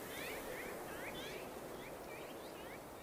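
Common kingfisher giving quick, thin, high chirps, several each second, with some overlapping, over a steady rushing background like running water.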